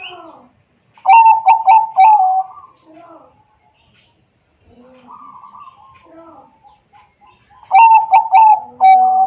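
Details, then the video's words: Zebra dove of the Bangkok type, phone-recorded in Wiradesa, Pekalongan, Central Java, used to coax silent doves into song: two phrases of quick staccato notes ending in a mellow coo, separated by quieter soft calls. "pancingan perkutut bangkok agar bunyi dan gacor setiap hari"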